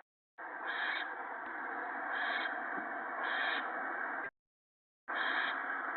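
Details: Owlets in the nest on the evening of 28 March 2017 while being fed gopher: a long unbroken harsh hiss with periodic louder swells, cut by a short silence, then the hissing resumes.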